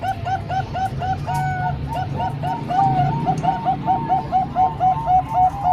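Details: Zebra doves, three Bangkok-type birds and one local, combined to train young doves. Dense, rhythmic run of short, bouncing coo notes, several per second, some overlapping slightly higher notes, over a low background hum.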